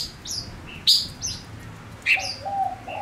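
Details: Lure male Gouldian finch singing: high downslurred whistles, two loud bright chips a second apart, then a low steady hooting note near the end.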